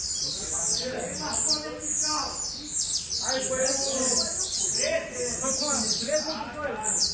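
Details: Blue-black grassquit singing excitedly: sharp, high buzzy notes repeated rapidly in bursts, over a noticeable layer of lower sounds and possible human voices in the background.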